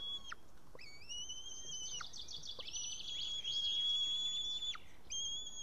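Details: Estonian white-tailed eaglet, 8 June 2018 at about 6:54 pm, calling to be fed: a very long, steady high whistle with a rapid pulsing middle section, framed by shorter whistles that end in sharp downward slides.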